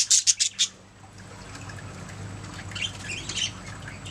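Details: Budgerigars singing and chirping: a quick burst of four sharp, high chirps at the start, then a pause and softer scattered warbling notes, with a low background hum.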